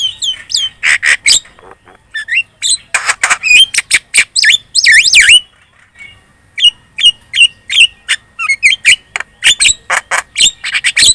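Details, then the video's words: Javan myna lure song, very chatty, to make other birds reply: long rapid stream of sharp squawks, clicks and twisting whistles with a brief pause midway. "PANCINGAN JALAK KEBO super gacor cerewet.di jamin burung kamu langsung nyaut"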